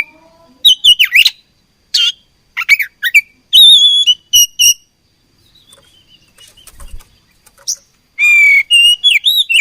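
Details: Oriental magpie-robin, called kacer, in a fight: clipped notes and bright whistled slurs, a quiet gap, then a renewed rapid run of rising and falling whistles.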